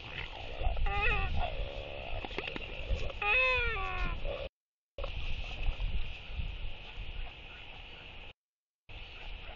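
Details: Northern royal albatross courtship display among four socialising birds, 23 October 2023, evening; drawn-out wavering moan-like calls with stacked harmonics, rising and falling, given twice, against a background of wind.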